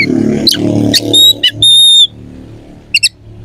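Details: Oriental magpie-robin singing to provoke rivals into answering and fighting. Sharp chips and a long level high whistle stand out above a low, muddy background rumble that fades toward the end.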